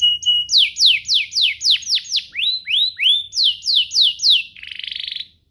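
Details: Singing canary meant to stimulate other canaries into song: a short steady whistle, then a regular run of steep downslurred whistles about four per second, finishing in a dry buzzy trill.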